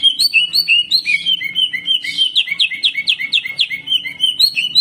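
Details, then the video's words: Caged greater green leafbird delivering a continuous, varied, aggressive song: rolling whistles and rapid chattering bursts in a high pitch, notes packed closely with hardly a pause. "CUCAK IJO GACOR HYPER TEMBAKAN KASAR"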